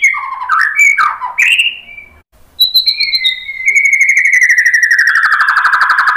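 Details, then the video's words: White-rumped shama song played to provoke another bird: varied warbled phrases and swoops, a short pause, a high whistle, then a long rapid buzzy trill gradually falling in pitch. "KICAUAN MURAI BATU merangsang BUNYI jadi NYAUT GACOR NGEPLONG BONGKAR ISIAN ¦ PANCINGAN MURAI"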